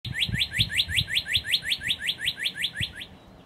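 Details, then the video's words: An early-morning Northern Cardinal sings close-up, a fast, even run of about fifteen bright, slurred whistles, roughly five a second, over the low rumble of a thunderstorm; filmed in late March 2011. "Northern Cardinal Singing Close-up Finale with Thunderstorm"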